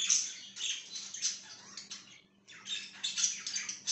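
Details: Budgerigar warbling on 5/10/2023, a fast jumble of squeaky chirps and rasping notes. A short pause breaks the chatter before it resumes more loudly, over a low background hum.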